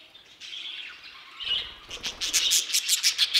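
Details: Budgerigars in an aviary: soft warbling chatter at first, then a burst of sharp, rapid clicking chirps about three per second over continuous high twittering, with low thumps from movement.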